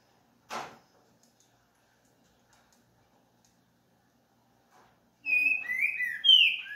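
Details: Green-winged saltator, trinca-ferro verdadeiro: after a single knock and long quiet, a rich run of loud, clear whistled phrases with sliding notes rushes in near the end.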